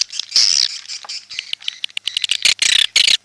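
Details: Calling edible-nest swiftlet, red-nest type: a shrill buzzy trill, then scattered clicks and chirps. It ends in a few loud, harsh, high bursts.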